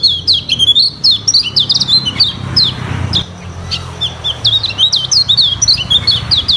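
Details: Lemon-bellied white-eye singing varied song for a training recording: repeated high, sliding whistled notes in rapid chattering phrases, a short quieter gap midway, over low background hum.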